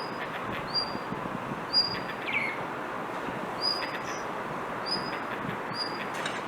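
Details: Persistent calling from a blue rock thrush instead of song: sharp, high, upslurred whistle notes at uneven intervals, one lower downslurred note, with steady background hiss.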